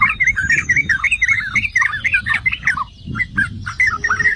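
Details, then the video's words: Bait song of the yellow-vented bulbul (merbah cerukcuk), meant to make other bulbuls sing aggressively. It opens with rapid gurgling, warbled phrases, pauses briefly, then returns with scattered bright notes over a low background hum. "Trucukan jenis APAPUN dijamin NGAMUK || Pancingan dan Masteran Trucukan"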